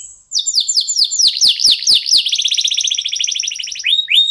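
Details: Local canary singing as a lure for other birds. A run of rapid, evenly repeated downslurred chirps flows into a long fast rolling trill, ending with two clear upslurred whistles.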